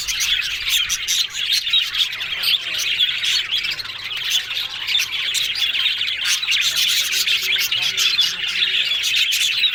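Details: Yellow budgies chatter happily in an unbroken stream of harsh squawks and warbled chirps, with steady scratchy ticking underneath.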